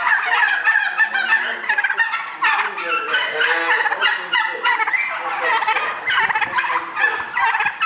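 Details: Barn-reared white domestic turkeys, a flock raised for Christmas on a farm, gobbling together: dense, overlapping rapid bubbling rattles from many birds, continuous throughout with brief lower yelps underneath.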